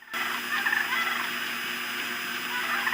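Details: Cranes calling together at night on 5 September 2017 in a dense, continuous chorus of rolling, trumpeting notes that overlap throughout, with no pauses between voices.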